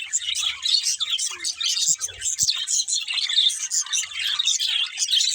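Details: Several budgies keep up a steady, overlapping stream of high chirps and raspy warbles, with a faint low thump in the middle.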